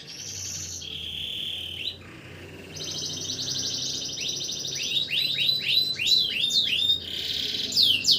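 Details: Canary singing at night, kept as a tutor bird. Continuous varied song of long buzzy trills at different pitches, followed by rapid bursts of downslurred whistled notes, over steady background hiss.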